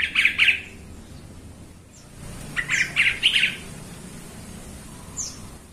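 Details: Yellow-vented bulbul singing in a recording meant to provoke rival birds into agitated song: two short bubbly phrases of bright, warbled chirps separated by a pause, plus a faint high slurred note near the end.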